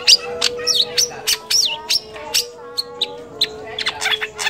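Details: Cendet or long-tailed shrike mimicking birds such as kolibri, trucukan, lakbet and canary, a training song for other songbirds: looping whistled swoops and sharp chips, then softer scattered ticks, over a steady drone.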